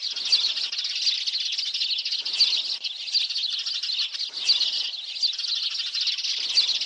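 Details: Trapping lure of sparrow calls: constant high-pitched chirps and twitters overlapping in a thick chorus, with louder bursts roughly every two seconds and no quiet gaps.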